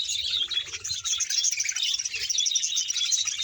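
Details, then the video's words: About a hundred pairs of budgerigars kept as a colony in Bahawalpur, a constant overlapping wash of high twittering and chirps, busy and unbroken throughout. "bahawalpur budges sound"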